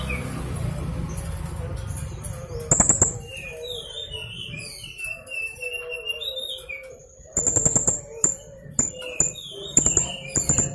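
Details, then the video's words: Young blue-crowned hanging parrot used to prompt other birds to sing, giving several bursts of very high, thin, shrill rapid notes, mostly in the second half, amid a busy background of other birds' whistles and a low hum. "Suara masteran burung serindit muda gacor full nembak emosi"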